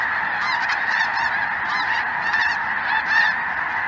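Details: Over southern Indiana on a chilly afternoon, 23 January 2023, Snow Geese and Greater White-fronted Geese crowd the sky; a constant goose chorus with sharp, higher yelping notes standing out in rapid bursts.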